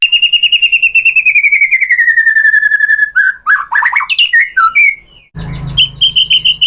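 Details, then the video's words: White-rumped shama song used to make other shamas sing: a long series of evenly repeated whistled notes slowly falling in pitch, then varied warbling phrases, ending with quick high repeated notes over a low rumbling background. "Bikin GACOR ‼️ MURAI BATU jadi EMOSI NYAUT BONGKAR ISIAN ¦ PANCINGAN MURAI ¦ SHAMA BIRD"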